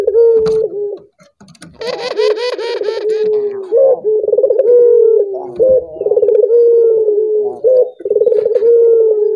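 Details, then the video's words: Collared dove calling to get other doves to sing along, its low rolling coos with drawn-out falling tones interrupted early by a brief harsher, broadband burst, then steady cooing phrases continuing to the end. "Suara burung puter ini membuat puter anda ikut gacor"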